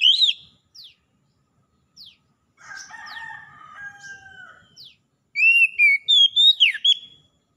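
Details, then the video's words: Wild and domestic Oriental magpie-robins reply to each other with gacor song. A loud run of whistled, warbling notes closes the recording. Earlier come scattered falling sweeps, and a rooster crows in the middle. "KACER ALAM LIAR DAN KACER RUMAHAN SEKALI DENGAR LANGSUNG NYAUT BUNYI GACOR"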